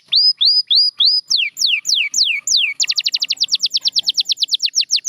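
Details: Singing canary: four rising hooked whistles, then several long descending slurs, followed by a rapid even series of short downslurred notes repeated about six per second.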